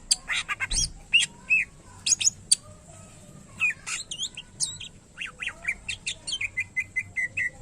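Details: Greater green leafbird (cucak ijo) song of sharp chips and bent whistles, ending in a rapid series of repeated short notes, with a low thump near the start.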